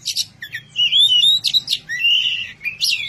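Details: Oriental magpie-robin (kacer) singing loudly in the open ngeplong style, calling out to a rival: sweet whistled phrases that slur up and down, broken by short sharp chip bursts over about three seconds.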